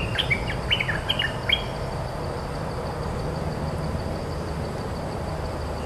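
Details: Cream-vented bulbul territory holder answering decoy sound with one short burst of quick, sharp chattering notes lasting under two seconds, followed by only steady background hiss and hum.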